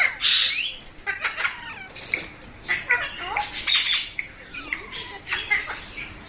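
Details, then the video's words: Chattering pet parrot with a mix of short squawks, clicks and gliding whistled notes, irregular and fairly continuous, partly harsh, in a quiet room. "Funny Parrot Sounds"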